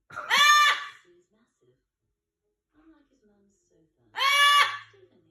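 A yellow-crowned amazon gives two loud, harsh, rising screams about four seconds apart, with faint indoor noise between them.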